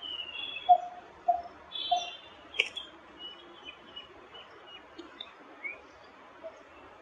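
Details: Coppersmith barbet giving three clear, low tuk notes about half a second apart, which then fade away, with a few faint chirps from other birds and a brief click.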